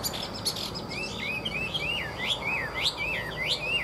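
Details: Caged hwamei singing at midday: a run of clear whistled notes that slide up and down, swooping phrases following one another quickly and evenly over a steady low background hum.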